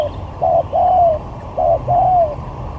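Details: Spotted dove kept as a lure bird for a luring skill match, cooing twice in quick succession, each phrase a short hollow note followed by a longer, gently descending coo.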